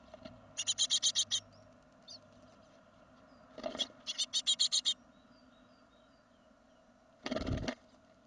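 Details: Great tit fledglings leaving the nest from a second brood in 2016, giving bursts of high, rapid ticking calls in fast series of five to seven notes, with a few softer faint chirps between bursts and a brief rustle.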